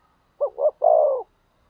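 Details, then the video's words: Decoy spotted dove calling to stir up wild rivals, giving a single mellow phrase: two brief coos followed by one drawn-out, slightly falling coo, with silence around it. "Cu Gáy Mồi Thúc/ Kích Bổi Mới Nhất | Chim cu mồi"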